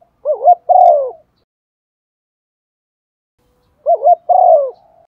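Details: Decoy spotted dove giving its set coo pattern to provoke other birds: two phrases nearly four seconds apart, each a wavering double note followed by a falling drawn-out coo, otherwise silent.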